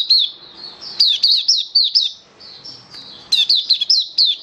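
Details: Caged Oriental white-eye in a bird-hobby training session, singing rapid high sweet twittering phrases of short slurred whistled notes, delivered in bursts separated by brief pauses.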